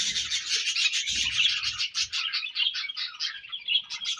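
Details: Budgies feeding and exchanging food, producing a continuous run of rapid, buzzy, high chirps that pulse several times a second, with faint low knocks early on.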